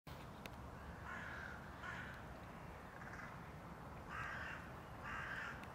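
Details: A hooded crow gives about five harsh, rasping caws, roughly one per second, over distant traffic rumble; Tivoli Landscape Park, Ljubljana, Slovenia, 16 January 2024.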